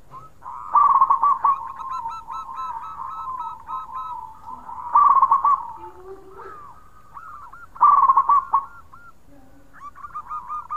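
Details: Vigorous khong-style song of a local zebra dove, used to prompt other birds into singing: bursts of rapid stuttering coos followed by smoother rolling coo phrases, repeated about every three seconds.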